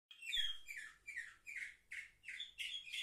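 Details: Young canaries, seven months old, recorded on 10 November 2023; a series of short, bright warbled phrases rising and falling, repeated roughly every half second with brief gaps between them.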